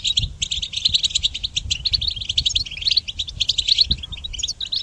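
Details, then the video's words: Goldfinch song for training songbirds, a bright, liquid stream of quick twittering notes and short buzzy trills, ending in rising, sliding chirps, with faint low knocks in the background. "Goldfinch Song Training"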